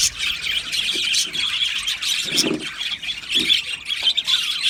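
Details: Aviary full of Australian budgies chattering: constant high chirping and warbles with a few rougher, lower squawks breaking through.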